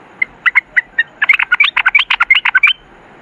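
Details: Sooty-headed bulbul with a brisk, accelerating string of bright chirping notes that merges into a dense, rapid twittering phrase lasting about two seconds.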